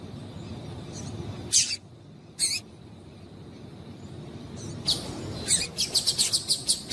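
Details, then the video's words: Female Double-collared Seedeater calling to stimulate males: two sharp, high chirps, a pause, then a quickening run of about ten short bright chips near the end, over a low steady background hum. "Melhor Piado de Fêmea de Coleiro Para Esquentar Coleiro Faça o teste Com Fêmea de Coleiro Chamando"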